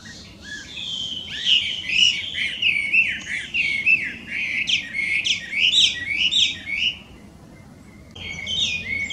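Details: A Chinese hwamei, an introduced wild bird in Japan, pours out loud, continuous, musical song of mixed whistles and slurs for about eight seconds, pauses briefly, then resumes.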